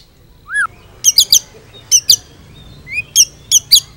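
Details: White-rumped shama with a full repertoire suited for training other birds: one upward-slurred whistle followed by clusters of three sharp, high, scratchy chips, repeated several times with short pauses.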